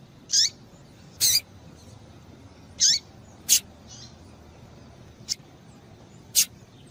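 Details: Female double-collared seedeater gives thin, high chirps, some dropping sharply in pitch, spaced irregularly about a second apart over faint background hiss; call used to stimulate males into singing.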